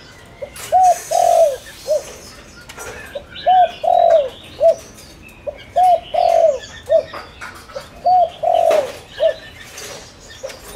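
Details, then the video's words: Spotted dove used as a lure for wild doves, repeating its low three-note coo four times at steady intervals of about two and a half seconds, the middle note longest and falling, other birds chirping faintly. "Tiếng cu gáy mồi đất gáy gọi kích bổi cực nhạy"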